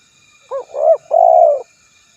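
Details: Spotted dove with a single clear coo phrase: a short split opening note, a louder rising middle note and a long, even final coo, all low and mellow, in a quiet setting.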